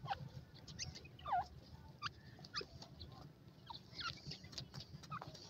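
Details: Partridge chicks in a forest in Iran during a race contest, giving short, sharp downward-slurred peeps at irregular intervals, a few louder notes standing out over a steady low rumble and scattered clicks.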